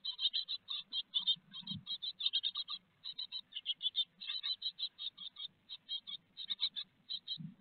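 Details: Great tits at a nest box in Théding, France, 4 May 2021, with a large peanut brought as food: dense rapid high chirping notes in continuous bursts, with low rustling and scuffling in the box.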